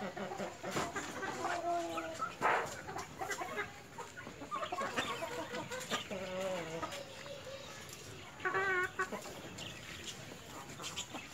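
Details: White Leghorn hen and rooster: a busy mix of short clucks, a sharp loud squawk near the start, wavering mid-pitched calls in the middle and a burst of stacked cackles, over constant farmyard background noise.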